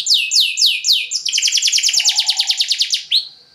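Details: Canary lure song, long and 'luxurious', to set other canaries singing: a few falling sweeps lead into a steady rapid trill of about a dozen pulses, ending in one upslurred note and fading out.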